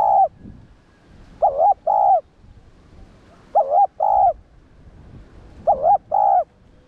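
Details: Spotted dove (cu đất) cooing for stimulating lure birds: the tail of one phrase, then three phrases of two mellow hoots, recurring about every two seconds in a quiet setting.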